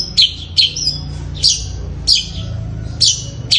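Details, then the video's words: Long-tailed shrike in fighting style, giving harsh, high squawking notes with a scratchy upper edge, repeated roughly every half second to second, over a constant low rumbling background. "Cendet suara gereja tarung gacor fighter gaya menarik"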